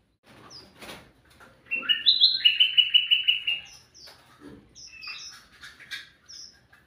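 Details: Sooty-headed bulbul, an active singer used as a lure for birds. A sharp click is followed by a stepped whistled phrase, then a quick train of clipped chirps. Scattered high, thin notes and rustling noises follow.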